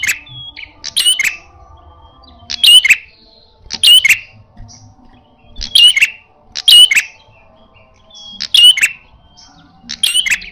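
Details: Red-headed prenjak prinia calling aggressively in fighting style: spaced bursts of shrill chirps and whistles, one every second or so, separated by near silence.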